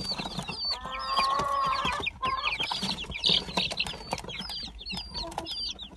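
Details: Gold Brahma and Silver Wyandotte chicks together: constant high, sliding peeps, with a lower, sustained tone early on and scattered tapping noises.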